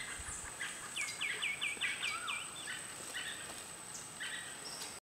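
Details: White-fronted nunbird at Boca Tapada, San Carlos, Alajuela, Costa Rica: a quick series of about six clear, down-slurred whistles with scattered softer notes after, and a steady high insect whine throughout.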